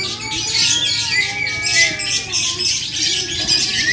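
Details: Lovebirds singing at a songbird competition in Muara Wahau: a dense, continuous, shrill high chatter of rapid squeaky notes runs throughout, with a few lower whistled glides and faint crowd murmur beneath.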